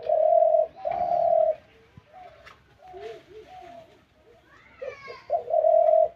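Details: Spotted dove calling two long, level coos, then soft murmuring notes, then a stuttered lead-in and a final drawn-out coo, with a faint voice in the background.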